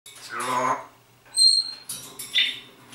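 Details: Grey parrot mimicking human speech and a pop song: a brief voice-like harmonic phrase, a pause, then pure high whistled tones and clipped, speech-like syllables ending in a sharp whistle.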